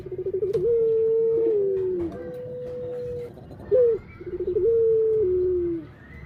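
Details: Barbary dove producing mellow coos: a trilled start melting into a long steady tone that dips, a flat sustained note, a short rising accent, then another rolling descending coo; low indoor hum underneath.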